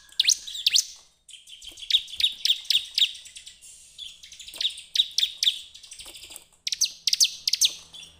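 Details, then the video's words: Bar-winged prinia song played as a lure to make other birds sing: rapid high chips grouped in quick runs of three to five, separated by short pauses. "pancingan ciblek terbaik untuk memancing ciblek gacor"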